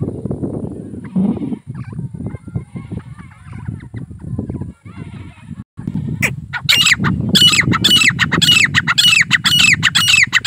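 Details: Grey francolin calls begin after about six seconds of low rumbling background noise and faint sounds. They are harsh, squawky notes repeated roughly twice a second until the end.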